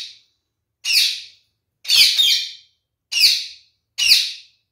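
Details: Captive male kakariki parakeet, kept as part of a pair, repeating loud harsh chattering squawks about once a second, five bursts in quick succession in a quiet room.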